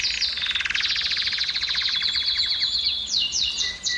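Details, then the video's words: Canary singing to stimulate females to mate: a dense, rapid buzzy roll of repeated notes sliding gently down, breaking into sharp high chips and a clear short whistle near the end. "أفضل صوت لتهييج إناث الكناري وحثهم على الزواج"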